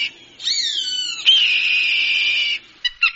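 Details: Hawk sound meant to drive birds away: a high, drawn-out whistled scream that slides down, then a long level harsh tone lasting over a second, ending with two short clipped notes.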